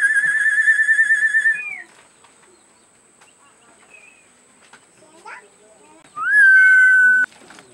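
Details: A Purple-naped lory (Lorius domicella), a Maluku endemic of Indonesia, gives two loud, clear whistled notes: a long wavering one, then after a quiet pause a rising note held steady for about a second.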